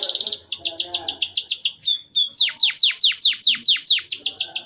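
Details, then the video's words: Canary song intended to get young canaries singing quickly: rapid high chips give way to a steady run of loud downward-sweeping whistles repeated about three times a second. "RANGSANGAN DAN PANCINGAN KENARI PAUD AGAR CEPAT BUNYI DAN GACOR - kenari lain langsung respon"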